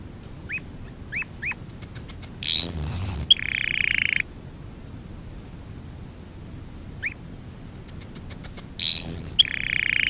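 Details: Canary training song in two similar bursts separated by quiet. Each has slurred notes and quick high pips leading into a rising whistle and a buzzy roll.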